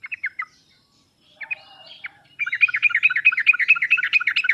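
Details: Sooty-headed bulbul song used as a lure for a hesitant singer; a few short chirpy phrases, then a fast, continuous chatter of bubbly repeated notes.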